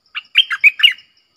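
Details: Red-whiskered bulbul with a clear, sweet double-phrase song: a brief opening chirp followed by four rapid, rolling whistled notes, the burst lasting under a second against silence.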